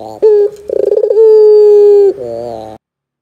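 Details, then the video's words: Barbary dove lure for young birds: a short clipped coo, a fast pulsing trill flowing into a long, even, slightly falling coo, ending in a lower buzzy note. "PANCINGAN PUTER GACOR DOR"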